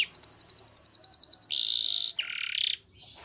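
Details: Timbrado canary from Spain in a training song: a clipped bell-like trill of about a dozen rapid notes, then a harsh buzzy rattle dropping into a lower burred phrase.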